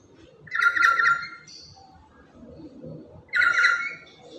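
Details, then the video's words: A talkative, loud lory, active every day and kept as a decoy and tutor bird for other lories, gives two harsh, buzzy squawks about three seconds apart, with soft background murmur between. "Inilah Burung Nuri Yang Paling Cerewet Dan Lantang"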